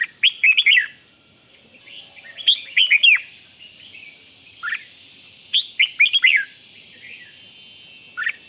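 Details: Caged red-whiskered bulbul song from Thailand, used to get other bulbuls excited: short clusters of bright, bubbling whistled notes with downward slurs, repeated at intervals of about two seconds, a faint steady high tone in the background.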